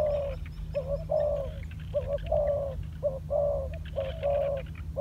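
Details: Spotted dove, a decoy bird in training on the ground, gives a run of deep, mellow coos. A brief clipped note alternates with a longer drawn note, about one pair a second. A steady low background hum is heard throughout.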